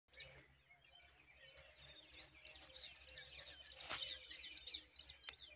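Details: A brown rock chat (Oenanthe fusca) mother guarding her young gives quick, high, sharp chirps, several each second, over a faint low hum and a few clicks.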